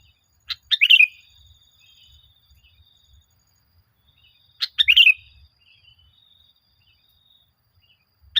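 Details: Kutilang, the sooty-headed bulbul, singing for a lure track that trains caged birds: a sharp lead note and a rippling, bubbly phrase, repeated about four seconds later.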